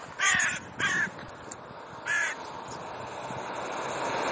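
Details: Raven of a territorial pair quarrelling with neighbours; two quick hoarse caws close together, a pause, then a third rasping caw, with a low continuous rumble behind.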